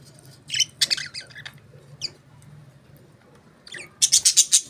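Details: Budgerigars give scattered harsh chirps and short squawky bursts, then a quick run of five buzzy notes near the end, with quiet gaps between calls.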